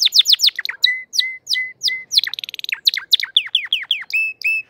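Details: Crested canary in peak condition delivers rapid downslurred notes, a run of flat whistled tones repeated about twice a second, a brief buzzy rattle, then more falling chirps and two high clear whistles.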